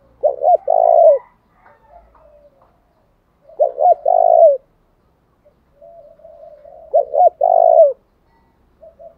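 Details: Spotted dove as a decoy bird to stir rivals into fighting, repeating a low cooing phrase three times at steady intervals of about three seconds: two quick notes then a longer hoarse note, soft murmurs between.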